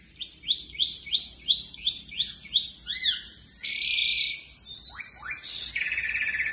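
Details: Asian pied starling song used as master and lure material: a rapid series of short upslurred chirps about three per second, an arched whistle, then buzzy harsh notes over a steady high hiss.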